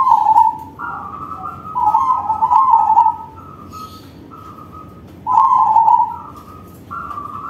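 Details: Loud crossbred zebra dove song of warbled coo phrases, alternating with a second dove's higher, flatter notes in the pauses, both birds trading short phrases.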